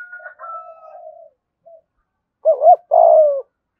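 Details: Spotted dove cooing in the 'giọng thổ' style with urgent 'thúc gù' phrases, used to call wild doves in to the decoy. Soft low cooing with a faint higher note opens, then two loud coos, the second long and falling.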